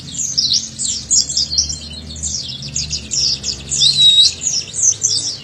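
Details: Oriental white-eye (pleci dakun) song as training audio for young birds: nonstop, energetic high twittering of quick slurred notes in pulsing bursts, with a short looping whistle near the end.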